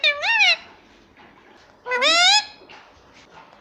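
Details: Talking Indian ringneck parrot repeating mummy papa, two loud harmonic voiced phrases with rising, bending pitch, separated by about a second of quieter room sound, and a third word starting at the end.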